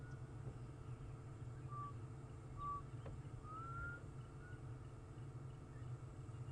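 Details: A distant Black cuckoo (Cuculus clamosus) at sunrise, 23 November 2014, on a morning safari drive, gives a few faint, plaintive whistled notes, the last drawn out and rising, over a steady low vehicle engine rumble.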